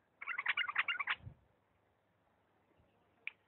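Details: Bulbul of Diyala in lisanat style giving one fast phrase of closely packed whistled notes over a faint hiss, followed by near silence and a single sharp chip.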